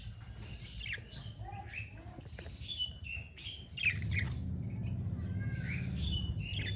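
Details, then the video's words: Pet budgerigar chirping: a busy stream of high, squeaky chirps and short warbled notes, several per second and uneven, over a steady low rumble. "Budgie's Melodic Chirps"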